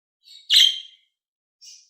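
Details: Budgerigar sound for stimulating other budgies: a soft short note followed by one loud, rasping, buzzy chirp, then a faint brief whistle and the start of another loud chirp at the end, with silence around them.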